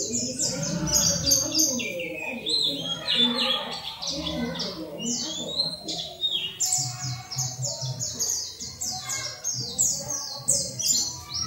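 Oriental white-eye singing a fast, high, thin twittering stream of sweet chirps and slurred notes, almost without pause, over faint low background murmur.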